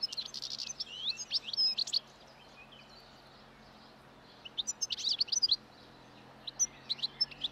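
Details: European goldfinches in the wild, calm and feeding on last year's thistle seeds along a roadside as spring approaches and breeding song begins; bursts of rapid, bright twittering near the start, again mid-clip and at the end, with quiet pauses between.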